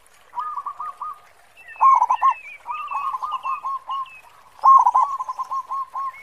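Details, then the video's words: Singing local zebra dove with a deep 'khong' voice, kept as a lure to set others singing: rolling trilled coos alternate with two loud choppy bursts about three seconds apart, over faint chirping of other birds. "Perkutut Lokal Gacor Suara Khong besar"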